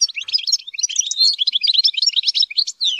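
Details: Rapid, unbroken twittering from a European goldfinch reared in captivity: bright, jingling chirps and slurred notes packed closely together, with one brief gap near the end.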